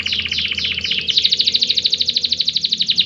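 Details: Canary song meant to encourage lazy canaries to sing more: a dense, bright, high rattling trill of rapidly repeated notes, speeding into a steady buzzy roll of about eight notes per second.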